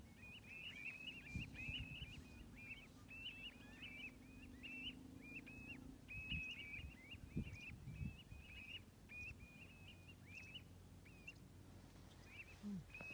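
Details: A gathering of roughly 65 common ringed plovers at Stornäset, Alnö, 7 October 2021, calling continuously: quick clipped rising whistles packed closely together over a steady low hum and occasional thumps.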